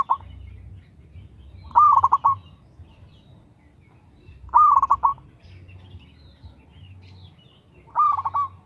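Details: Local zebra dove singing steadily, used as a lure for other doves: short bursts of quick, slightly rising coo notes every three seconds or so, four bursts with faint low rumble between them.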